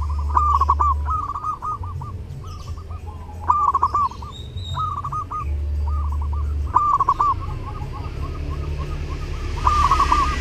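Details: Zebra doves singing steadily during Lebaran: soft, mellow cooing phrases of quick stuttered notes ending in a drawn-out coo, overlapping from several birds near and far, with a steady low hum underneath and a brief hiss at the end.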